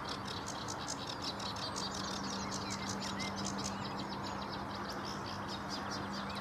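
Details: On 7 May 2016 at Vange Marsh RSPB a sedge warbler delivers fast, scratchy chatter of rapid ticks and a couple of short whistled slurs, partly buried in loud steady background noise and a low hum.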